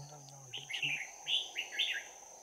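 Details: Red-whiskered bulbul, a trapped decoy bird with a 'bell voice', giving close-combat fighting song on 11 January 2019: short warbled, slurred phrases in quick succession, with a low murmur of human voice at the start and a steady high electronic tone throughout.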